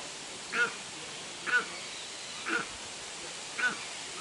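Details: Captive steppe eagle (Aquila nipalensis) at a zoo in Upie, Drôme, France, giving four harsh, barking calls at roughly one-second intervals against faint background noise.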